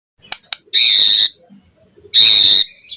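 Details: White-rumped shama lure song for training captive birds: two loud, harsh, buzzy bursts about a second apart, each held roughly half a second, with faint clicks between them.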